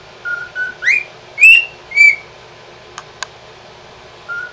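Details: A male pied cockatiel, singing when happy, whistles a short tune of clear, rising and swooping notes.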